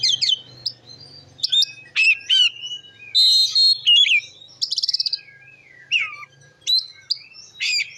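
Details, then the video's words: Provocative 'ngeplong' singing of an Oriental magpie-robin, meant to stir up other magpie-robins: a varied stream of sharp whistles, down-slurs and buzzy trills over a faint low hum. "Suara Kacer Gacor Ngeplong Ampuh Memancing Emosi Kacer Lain"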